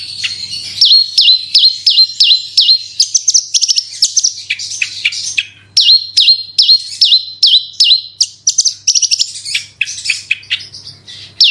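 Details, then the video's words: Branjangan or Horsfield's bush lark, 'gacor super roll tembak' lure song: a steady string of hooked, downslurred whistles about two or three per second, later breaking into varied rapid chirps and trills. "BRANJANGAN ANDA KURANG GACOR PANCING SUARA INI PASTI LANGSUNG IKUT BERKICAU"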